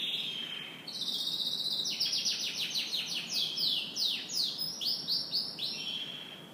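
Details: Canary in morning song: a steady whistled note leads into a long, rapid trill of sweeping down-slurred notes repeated several times a second, ending in a level whistle.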